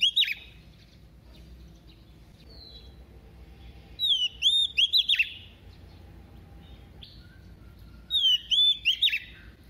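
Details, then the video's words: Female Oriental magpie-robin used as a decoy, singing in a double voice to excite males: three bursts of clear, looping whistled notes, each phrase about a second long, separated by quiet gaps, with a faint low hum behind. "Choè than mái mồi hót giọng kép kích trống cực phê"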